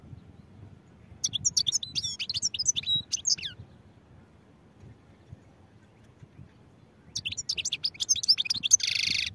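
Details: A European goldfinch sings two bursts of fast, bright, liquid twittering, separated by several seconds of quiet with a faint low rumble underneath.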